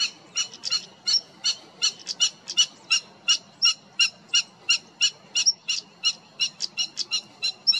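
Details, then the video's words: European stonechat in the Cértima river valley, Águeda municipality, 28 June 2022: hard, clicking tsak notes repeated steadily about three times a second, with the odd thin high whistle between them. Faint low rumble underneath. "Cartaxo-comum (Saxicola rubicola)"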